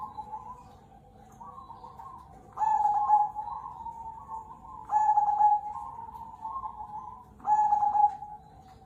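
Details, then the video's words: Zebra dove, local cemani kolbuntet variety, singing steadily: three loud trilled cooing phrases about two and a half seconds apart, each followed by softer rolling coos, in a regular repeating rhythm. "perkutut CEMANI KOLBUNTET gacor suara mantul"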